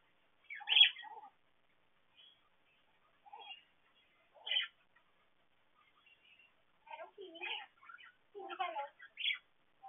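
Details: Caged parakeets in an aviary with scattered chirps and scratchy chatter separated by quiet pauses, then a denser burst of mixed warbling and harsh notes near the end.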